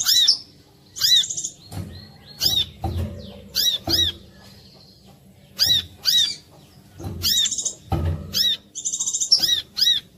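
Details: Brown-throated sunbird (korlap) song used as a lure to prompt other sunbirds to sing: bursts of clear, high arched whistled notes repeated in quick clusters roughly every second, with soft low knocks and thumps between phrases.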